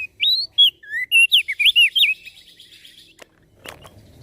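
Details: Javan grey-throated white-eye singing actively, its voice said to provoke other birds into singing along: a quick run of loud, clear whistled notes, some rising, some slurred up and down. The singing stops after two seconds, followed by a couple of faint clicks.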